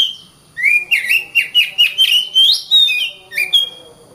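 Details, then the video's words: Oriental magpie-robin pouring out a smooth series of about twelve loud whistled notes, many bending up or down, building to a higher rising note before softer closing whistles. "Kacer Bird Singing"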